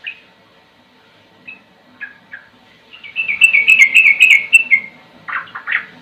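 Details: Sooty-headed bulbul (trucukan) in ropel-style song: sparse short chirps first, then a quick rolling burst of bright notes for about two seconds, ending in a few harsher slurred notes.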